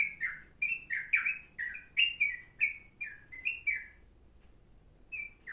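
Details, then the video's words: Yellow-vented bulbul singing a song suited as tutor material for a sooty-headed bulbul: loud, rapid bubbly phrases of slurred whistled notes, rising and falling, in a burst of about four seconds, then a brief pause and a final note. "burung trucuk cocok buat isian kutilang"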